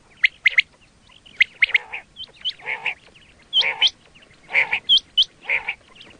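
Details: Quail call for hunting, batair: mix of quick high whistled chirps and lower raspy bursts, each burst about half a second, repeated several times.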